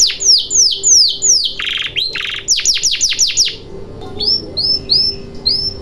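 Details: Canary singing, played as a lure to prompt silent canaries to sing: quick runs of sharp, sweeping whistles and a buzzy burst, then a pause before a few short, rising notes.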